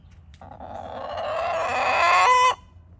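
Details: Hen that has begun crowing, on a small New England homestead in July: a single rough crow rising steadily in loudness for about two seconds, ending in a higher clipped note.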